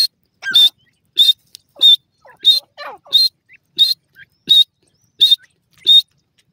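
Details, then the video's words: Francolin known locally as dakhni teetar, kept at home, calling with a steady run of loud, piercing high notes about every two-thirds of a second, with faint lower chatter underneath. "dakhni teetar masti, pheasant bird ki boli"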